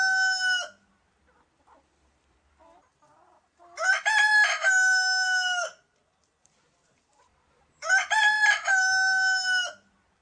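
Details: Domestic chickens kept with their chicks, making a drawn-out nasal harmonic call at the start, then two long, loud, strained calls about four seconds apart, with near silence between them.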